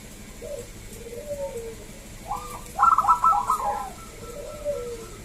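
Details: Loud, clear-voiced local zebra dove song meant to prompt other doves to sing: gentle falling coos that build into a quick, stuttering trill of higher notes before easing back into soft cooing.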